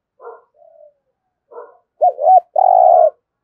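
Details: Spotted dove used as a lure for wild doves, singing in the thúc gù style: two soft muffled murmurs, then a loud two-part phrase, a bouncing double coo followed by a sustained, buzzy, level coo.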